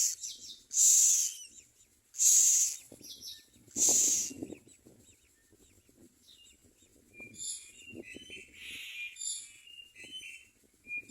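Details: Common myna baby birds begging for food at feeding: three loud hissing screams about a second and a half apart, followed by softer chirps and scratchy notes.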